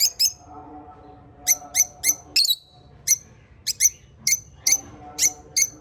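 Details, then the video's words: African lovebirds chirping steadily: bright, piercing short notes repeated every quarter to half second, sometimes in quick pairs, over a faint low hum. "African Love Birds Chirping Sounds"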